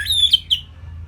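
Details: Orange-headed thrush from Bali singing as a training model for songbirds: a brief sequence of three high slurred whistles, the first drawn out, the next two short and downslurred.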